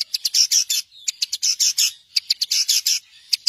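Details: Long-tailed shrike master song for training songbirds: harsh, high chattering bursts alternating with quick single chips in irregular groups, loud and clean with no background noise.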